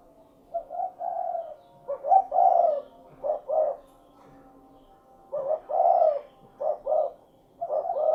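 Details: Spotted dove (derkuku) calling cukurukuk-style phrases: short knocking notes leading into a fuller rolling coo, with the sequence repeated twice and separated by a brief silence.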